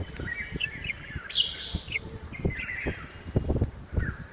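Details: Home-garden recording from Hosur of a red-whiskered bulbul giving short whistled notes, partly masked by loud low thuds and background noise.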